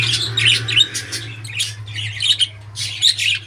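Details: Pet budgerigar chattering indoors: rapid bursts of high, scratchy chirps and squawks in quick groups, with a steady low electrical hum beneath.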